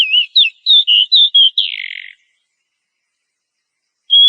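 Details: Female oriental magpie-robin in breeding condition calling a male, a rapid series of about seven whistled notes that ends in a brief rough, buzzy note, then quiet before one steady whistle.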